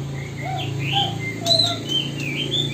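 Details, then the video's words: Magpie robin giving mimicked Poksay Hongkong and Wambi material learned from the wrong company; a string of thin clear whistles and short slurred notes at varied pitches, with a constant low electrical-sounding hum underneath. "Burung Murai Isian Poksay Hongkong dan Wambi"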